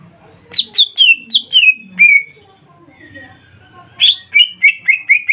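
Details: Lure song of a greater green leafbird, intended to trigger other leafbirds to sing: a string of six clear, downslurred whistles, a soft low-pitched whistle, then a fast burst of repeated whistled notes.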